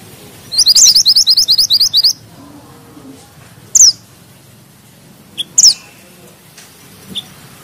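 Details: Mantenan gunung (bushchat) in full song, delivering a tight rolling series ('ngeroll rapat'): about a dozen quick, high, upslurred notes in under two seconds, then a few sharp, isolated downslurred chips with pauses between.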